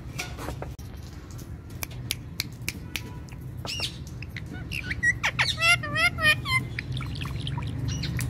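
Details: Pet Indian ringneck parakeet interacting with its owner: scattered clicks and squawks build into a rapid series of looping, rising-and-falling chattered notes, with a steady low background hum.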